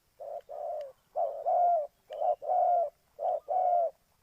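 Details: Trapping-lure spotted dove, Ninh Thuận, cooing repeatedly: soft paired hollow notes, the second longer and louder, about once a second, with faint clicks between phrases.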